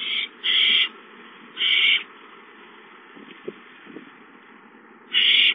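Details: Owlets at a nest, watched on a live camera, give three loud, harsh, hissing bursts, each about half a second long, with steady background hum in between and a few faint knocks.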